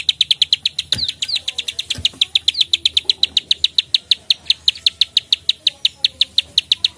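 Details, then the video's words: Prenjak sawah, or plain prinia, calling 'klik-klik' energetically in fighting mood: an unbroken rapid series of crisp ticking clicks, roughly seven each second and even in loudness, with two brief low knocks early on. "prenjak klik gacor fighter narung"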